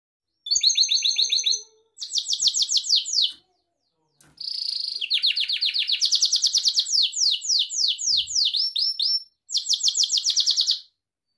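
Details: Gloster canary, a pet bird, singing a training song: loud high trills of rapid repeated notes, fast buzzy rolls and sweeping descending phrases, broken by short pauses.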